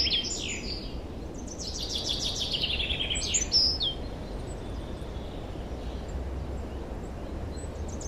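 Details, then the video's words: Spring song of wild forest birds, 2023: rapid descending trill phrases and sharp high chirps in the first four seconds, followed by faint distant calls over constant low rushing noise. "Пение лесных птиц"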